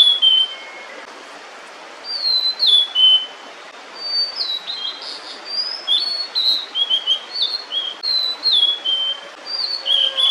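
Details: A female blue-and-white flycatcher sings while holding food in her bill, lingering near her nest of chicks while being watched, in short phrases of clear, high whistles, some sliding and some abrupt, repeated after brief pauses over a soft hiss.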